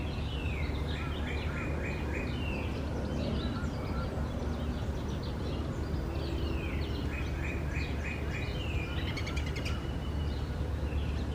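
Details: Starlings around a nest box holding four chicks on 4 May 2019: runs of quick descending whistled notes in bursts, with a brief rattling click near the end, against constant low background noise.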